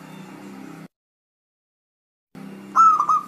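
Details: Zebra dove coo for luring sluggish doves into replying: after hum and a silent gap, one phrase of a level tone broken by a few fast stuttering dips.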